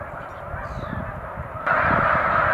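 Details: Large flock of snow geese on Cayuga Lake on a March 2021 afternoon; a dense wall of overlapping nasal honks that swells suddenly louder and brighter partway through.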